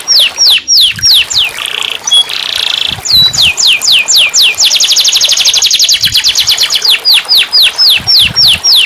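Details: Canary singing for a caged bird that has stopped singing: sharp downslurred whistles, short buzzy rolls, then a long rapid rattling trill followed by more evenly spaced falling whistles.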